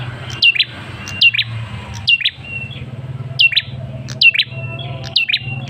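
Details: Male Ashy Tailorbird lure sound for prompting a response. Steeply falling high notes with short lower chips repeat about once a second over a steady low hum.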